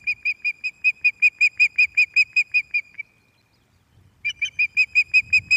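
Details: At Loch of the Lowes on the evening of 11 May 2024, a resident female osprey calls on her nest while a visiting male arrives without fish. A long steady series of bright whistled pips breaks off, then resumes, with light background rumble.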